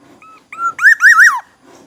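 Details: Aceh black-naped oriole, forest bird of Indonesia, gives a faint whistle, a swelling fluty note and a rich, rolling whistled phrase that dips at the end, over a faint low background murmur.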